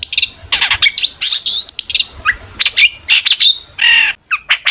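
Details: Long-tailed shrike in excited song to provoke replies from other shrikes: a dense, rambling mix of raspy bursts, short whistles and chirps with hardly any pause.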